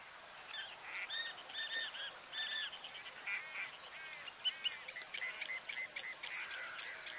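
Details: Spur-winged Lapwing at Akrotiri Marsh, Cyprus, in April 2023, giving loud, sharp, metallic notes in quick, overlapping bursts, several calls a second, against a faint background hiss.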